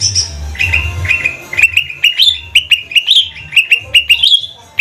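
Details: Cucak ijo trotol (kuningan, bahan type) green leafbird from Banyuwangi, used as a lure to make other birds sing: a quick series of sharp chirps near one pitch, some rising to a higher note, with a low background rumble.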